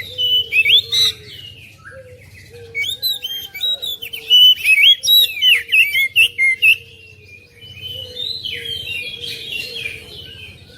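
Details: Oriental magpie-robin singing to encourage a lazy kacer at home: bursts of rich whistles and scratchy twitters, a long lively run of varied phrases mid-clip, then softer chatter, with a low hum underneath.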